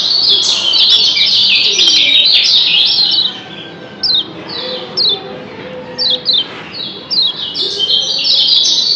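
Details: Captive Lombok yellow white-eye giving the double 'ciak' call. Several seconds of dense, high twittering are followed by short, sharp chirps in pairs, spaced roughly a second apart.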